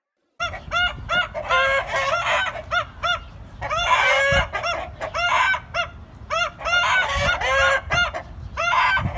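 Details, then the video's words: Funny rooster sounds: rapid bursts of short arched clucking notes, repeated in quick clusters with brief pauses, loud and continuous throughout. "Roosters Crowing & Other Funny Rooster Sounds"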